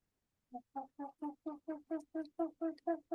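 Short-eared Owl giving a steady run of about eleven hoarse, hooting notes, roughly four per second, with an almost monkey-like quality; nothing else is heard.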